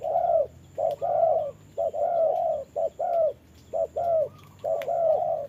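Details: Spotted dove kept as a trapping decoy, calling against a wild dove in the rain: loud rounded coos in paired short and drawn-out notes, evenly paced, with soft ticking sounds and a thin high hum.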